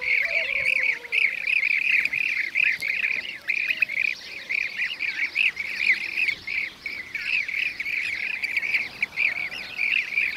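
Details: Blue-cheeked bee-eaters, which hunt bees, give rolling, trilled calls of medium-high pitch, several birds overlapping almost without pause; a faint lower call is heard briefly at the start.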